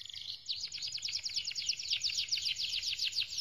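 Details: Canary song used for training: a fast run of bright, high chirped notes repeated several times a second, with a steady slightly wavering rhythm throughout, over faint low background noise.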